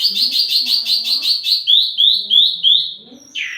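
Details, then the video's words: Wambi mini singing as lure and master audio for tledekan: a fast even trill, then four rising whistled slurs about every third of a second, ending in a sharp downward note. "wambi mini burung pancingan sekaligus masteran buat tledekan anda"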